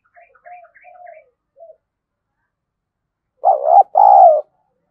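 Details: Spotted dove used as a decoy to draw in wild doves, thổ voice style. Faint, softer coos come first, and after a pause a loud double coo ends the recording: a brief note, then a longer level one.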